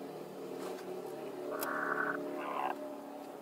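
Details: Hens competing for the same laying spot at once give a drawn-out, harsh squawk, then a shorter, higher, strained cry, with a constant hum underneath.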